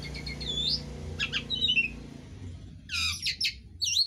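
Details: Pet Asian pied starling in a mimicry-rich song: sweeping whistles, clipped chattering notes and buzzy bursts separated by pauses, with a low background hum.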